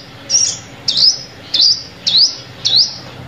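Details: Sunbird calls used as a lure for trapping: five sharp, high upslurred chips, each a quick rising sweep, spaced about half a second apart, with faint low background hum.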